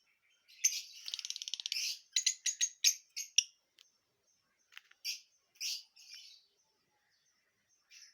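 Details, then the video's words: Parrots presented as talking, here giving a rapid burst of buzzy, rattling chatter followed by a series of sharp, high chirps and squawks that thin out into scattered short notes, with quiet gaps between them. "Parrots Talking"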